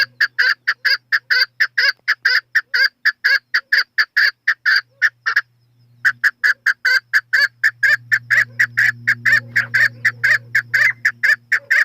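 A chukar partridge gives a fast, steady run of harsh clucking chuk notes, about two per second, with a brief pause midway and a low hum underneath.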